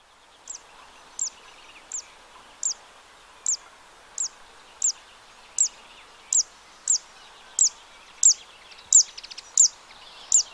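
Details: Zitting cisticola song recorded 2 June 2023 in a wetland at the Arzal dam, Morbihan, France: a sharp, high 'zit' repeated steadily about every 0.7 seconds, like a ticking metronome, over a faint background hiss.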